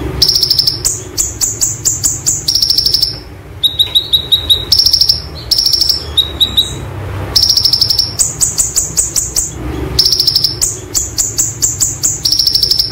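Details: Olive-backed sunbird (konin) singing a 'roll tembak' style song used as tutor material: very high, rapid rattling trill bursts in quick succession, broken midway by short runs of thin ticking notes, over a faint low hum.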